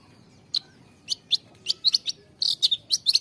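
A long-tailed shrike gives a rapid run of sharp, high chirps and harsh scratchy notes, about a dozen in three seconds, over faint low background hum.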